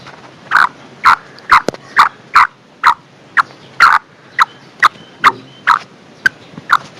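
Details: Female black francolin giving a call meant to draw in a male: a steady series of short, rasping mid-pitched notes, about two per second, fourteen in all, over a faint background hum.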